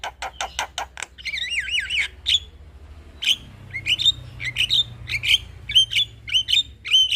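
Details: Male Javan myna song meant to lure other mynas: a fast rattle of clicks, a warbling wavering whistle, then repeated sharp bright whistled notes every half second or so.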